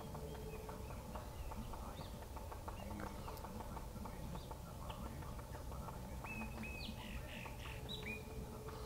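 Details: Rufous-tailed jacamar calling: a short series of sharp, thin, rising whistled notes in the later seconds, set against a steady low hum and dense ticking, clattering background noise.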